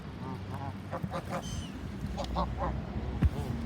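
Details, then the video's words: Geese in Chesham honking while being fed: a series of short, nasal, harmonic honks in irregular bursts, several in quick succession, over a steady low rumbling background. "Feeding and honking geese in Chesham"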